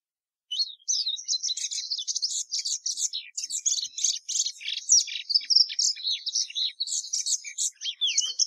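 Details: Song of the plumbeous seedeater (Sporophila plumbea): after a short silence, a sustained high, dense warble of mixed chirps, buzzes and slurred whistles.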